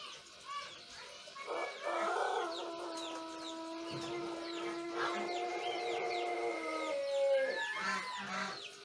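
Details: Juvenile Pelung rooster practising its crow one month in, morning recording, crop empty, regular bran diet; after short clucks, a long even crow holds for about five seconds, ending in a brief wavering tail with faint background chirps.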